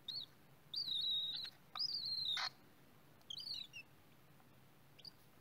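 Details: Cockatiels at their nest give loud whistled calls, each a drawn-out, slightly falling note with a short upturned start, in separate bursts about one second apart, then softer broken chirps; quiet background otherwise.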